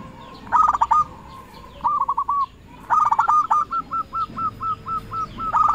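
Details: Zebra dove, a local bird, calling to rivals as a lure. Stuttering bursts lead into a long, evenly spaced series of hooked coo notes, over a slightly noisy background.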